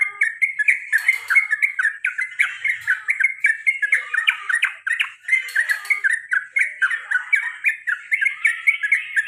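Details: Male trucukan (yellow-vented bulbul) calling over and over in the 'ropel' and 'garuda' styles, played to provoke other birds. Dense run of harsh, chattering, bubbly phrases for nine seconds without a break, with slight high hiss.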